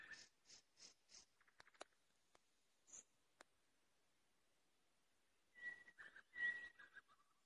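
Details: Common nightingale song with four evenly spaced harsh notes, a flurry of quick clicks, a long silence, then clear pure whistles mixed with grating, buzzy notes.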